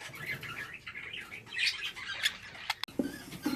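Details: Budgerigars bred and kept at home as a hobby: steady high, busy chirping and warbling chatter with scratchy notes, a few soft flutters, and a brief low human voice near the end.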